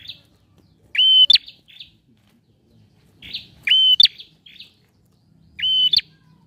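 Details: Singing male bar-winged prinia, used to coax a quiet bird into song: three loud, strident phrases of ringing whistles ending in a sharp click, repeated roughly every two and a half seconds.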